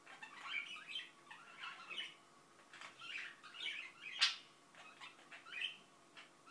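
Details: Pet Indian ringneck parakeet quietly mumbling indoors, murmured chatter phrases separated by short gaps, one crisp squeak near the end.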